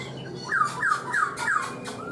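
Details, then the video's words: Black-throated laughingthrush in a cage four months repeats four falling whistled notes in steady rhythm, roughly three per second. "Khướu bạc má 4 tháng lồng, người rài giọng cực hay"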